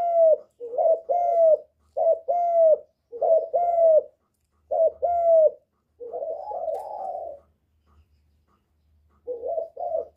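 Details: Spotted dove cooing, used to stimulate birds: soft, hollow two-part phrases, a clipped note followed by a longer falling coo, repeated steadily, then a rougher, warbling coo and a pause before two more notes.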